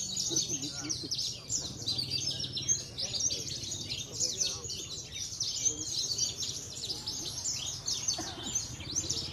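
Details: Parva Javan bush lark, a caged contest bird from Cilacap that keeps winning, gives a relentless high, scratchy twitter of packed chirps and trills, with low crowd voices underneath.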